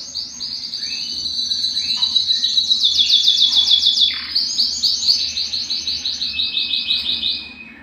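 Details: Belgian canary singing strongly, intended to stimulate males and bring females into breeding condition, with a loud fast rolling trill swelling in the middle, then a steady run of repeated pulsed syllables.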